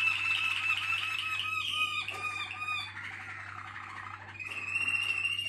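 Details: Malinois Waterslager canary singing loud, fast, rhythmic trills that shift pitch between phrases, bubbling and rolling, over a steady low hum.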